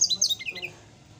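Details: Brown-chested jungle flycatcher in the morning, singing a quick, echoing run of high whistled notes that tumbles downward and fades out, over a low background murmur.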